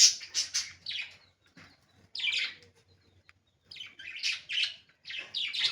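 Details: Budgerigar chirping in short clusters of high, warbling chirps separated by brief pauses, sharp scratchy notes repeating in quick runs, with a faint low hum underneath.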